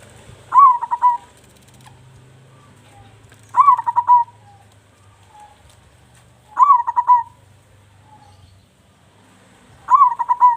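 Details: Loud local zebra dove used as a lure: short rolling coo phrases, each opening with a rising note and then breaking into quick stuttered beats, repeated about every three seconds over a faint low hum.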